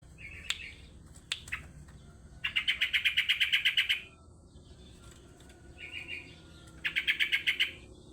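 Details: Sooty-headed bulbul song played as a lure recording: a few short sharp notes, then two bursts of rapid, rattling, bubbly notes around two seconds long, separated by quieter faint call notes over a low background hum.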